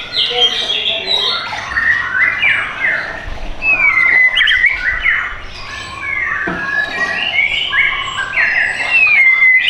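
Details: Caged white-rumped shama from a Tangerang Selatan bird shop, Indonesia, pouring out a busy, varied song of chattering notes, sweeping slurs and long clear whistles.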